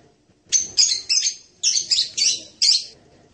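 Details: Blue-crowned hanging parrot: a quick string of about seven high, squeaky, shrill notes, slightly buzzy, delivered over two seconds with no other sounds.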